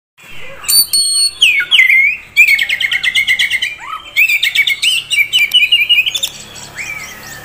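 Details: Oriental magpie-robin, a young contest-prospect bird offered by a bird keeper, singing loud varied whistled phrases, rising and falling slurs mixed with fast high trills and rapid chattering runs of repeated notes, nearly continuous.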